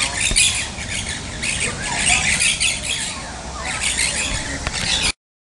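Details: Maroon-bellied parakeets recorded in the São Paulo Botanical Garden, Brazil, in January 2016, giving rough, scratchy squawks in overlapping bursts, a brief lull midway, then renewed harsh chatter before the recording ends.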